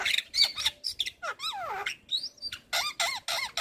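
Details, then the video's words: Lure recording of a white-eyed Javan myna to coax reluctant birds into song: squeaky high notes and long sweeping whistles that slide down, followed by a series of short looping whistles. "Pancingan Burung Jalak Malas Bunyi Rutin Kasi Pancingan Suara Jalak Kebo Mata Putih"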